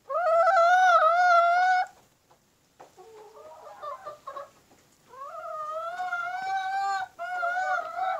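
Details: Chickens in a flock led by a black rooster of an Indonesian breed with black eyes, skin and meat: long loud wavering harmonic calls lasting about two seconds each, separated by a stretch of softer quick clucking.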